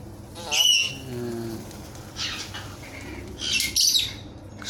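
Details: Captive galah (Eolophus roseicapilla) of unknown sex gives two harsh, grating screeches about three seconds apart, with a person's low voice murmuring between them.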